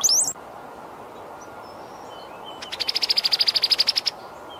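Brown-headed Cowbird: a brief, very high rising whistle, then after a pause a fast dry chatter of about fifteen rapid notes lasting over a second.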